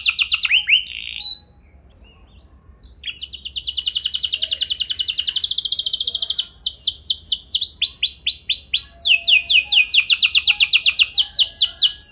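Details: Luxurious canary song played as a lure for other canaries: short swooping notes, a pause of over a second, then a long fast metallic trill followed by sets of curved whistled notes and rapid rolls.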